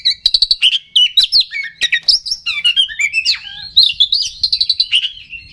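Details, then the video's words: Kacer, the oriental magpie-robin, singing a lure song meant to provoke rivals: a fast jumble of whistles, slurred notes and sharp clicks, varied and continuous, with dense chattering bursts. "Suara Pancingan Kacer Agar Cepat Emosi Gacor ! Pancingan Paling Ampuh Buat Menaikan Emosi Kacer"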